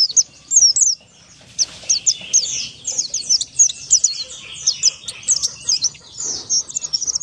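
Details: Oriental white-eye of the Buxtoni form singing in the ngalas style, used as a lure to get other white-eyes singing quickly: a fast, high-pitched twittering of thin chirps and sharp slurred notes, broken by short pauses.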